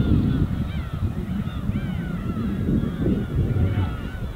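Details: Over calm winter waves of Korea's East Sea, a flock of gulls gives scattered plaintive, bending cries, some long and sliding, over a steady low wash of surf.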